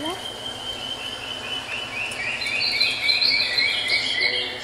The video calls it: Juvenile Crested Partridge